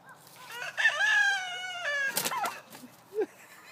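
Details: A white turkey hen that loves attention gives a drawn-out, reedy, nasal call lasting over a second, then a sharp downward squawk and one short chirp a moment later.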